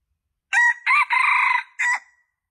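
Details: Loud junglefowl crow meant to lure males, split into four bursts: a short harsh opener, a second note, a long vibrating phrase and a clipped ending that trails away, with nothing else audible.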